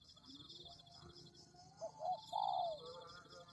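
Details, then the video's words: Spotted dove (tekukur) lure call meant to attract doves. After a quiet start, a brief stuttering pair of notes leads to one long, slightly falling coo. A continuous high background whine is also present. "Pikat Tekukur"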